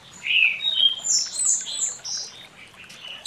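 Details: Orange-headed thrush singing in the morning, a quick run of varied, high whistled and sweet phrases, one after another, against a quiet background.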